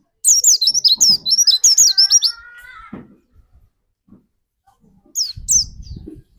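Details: White-eye kept as a lure bird, singing to trigger another white-eye to sing: a fast run of high, sharp warbled chirps, then a lower drawn-out whistled phrase, a pause, and two last high chirps with a soft thump.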